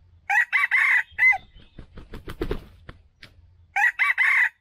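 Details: Two crows from a male red junglefowl, recorded as a lure for trapping. Each is a clipped, raspy four-syllable phrase ending in an abrupt note. Between them comes a rustling, clattering noise with a few low knocks.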